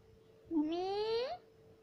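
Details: Pet talking parrot imitating "mummy": a single drawn-out, nasal call lasting nearly a second, slowly rising in pitch and ending with an upward flick, over a steady low hum indoors.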